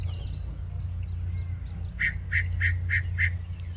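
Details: Yellow-breasted chat singing at Osborn Metropark, Huron, Ohio, on a May morning at 10:12 AM: a run of five evenly spaced, mid-pitched clucking notes about a third of a second apart, over steady low rumbling background noise.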